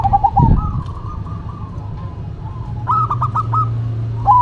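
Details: Duet of two zebra doves, one local and one cemani: a drawn-out cooing phrase, then a fast burst of four or five clipped, ringing coo notes, with constant low droning noise behind.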